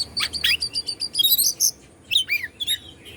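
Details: Short burst of Oriental magpie-robin (kacer Bandung) song used to excite other birds: rapid clipped chirps and whistles repeated in quick succession, then a pause and a few downslurred notes.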